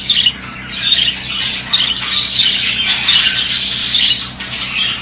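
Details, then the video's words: A male budgerigar gives a sharp squawk, then a long run of buzzy, chattering warble notes, over a low constant hum. "Erkek muhabbet kuşu sesi"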